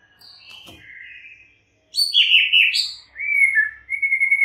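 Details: White-rumped shama delivering soft whistled notes, a brief pause, then a loud, high, intricate phrase of rapid notes followed by two steady drawn-out whistles.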